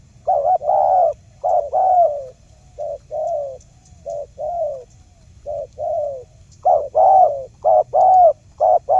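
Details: Spotted dove lure call for trapping, aimed at making silent birds reply: a long run of low mellow coos, some paired and some single, quickening into rapid clipped notes toward the end.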